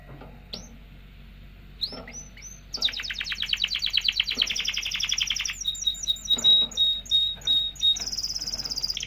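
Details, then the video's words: Canary song used to excite females for mating: separate high upslurred whistles, then a long rapid rolling trill, followed by a string of quick sharp repeated notes and a steady whistled tone. "تغريد طائر كناري لتسميع الفراخ و تهييج على التزاوج"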